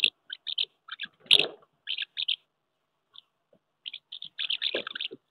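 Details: Common house martins at nests on a wooden house during May courtship, pairs contesting nest sites; brief dry chirps in small clusters separated by pauses, with one louder burst near the start.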